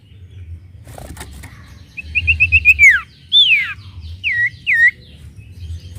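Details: Sooty-headed bulbul (sirtu) song, used to spur birds into song: a quick run of five short whistles turning into a falling slur, then an arched whistle and two dipping notes, over a low background hum.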